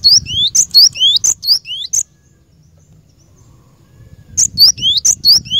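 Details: Cinereous tit song used for training caged birds: two bursts of sharp, high whistled notes, each a quick rising slur followed by a short chip, repeated rapidly, separated by about two seconds of near silence with faint low rumble.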